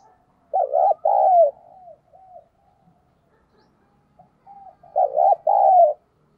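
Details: Decoy spotted dove in đồng pha style, thúc and gáy gọi calling: two loud cooing phrases, each a bouncing double coo then a long falling one, with soft quieter coos between them.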